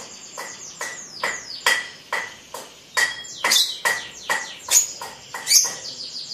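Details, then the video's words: Young sibiru lovebird being trained for ngekek: softer, evenly spaced chirps with several downward-sliding whistled notes, about two calls per second. "Lovebird sibiru persib ngekek u4k5"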